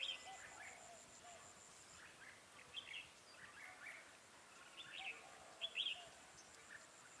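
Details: Decoy red-whiskered bulbul during trapping near Chùa Hương, Vietnam, 4/12/2017, giving soft, scattered, whistled phrases that grow into brighter chirps late on, with low background hiss and a faint voice.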